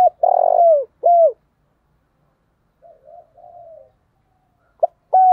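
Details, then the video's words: Spotted dove decoy calling for wild doves: a long, harsh, buzzy coo sliding down, then a clear falling coo. A soft wavering coo comes after a pause, and a new phrase starts near the end. "tiếng cu mồi thúc bổi// tiếng chim cu gáy gọi mồi"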